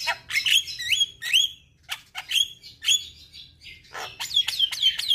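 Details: Javan myna (jalak kebo), caged, song for therapy of a stressed silent bird: clear upslurred and downslurred whistles in irregular sequence, with a few harsh notes, loud and close.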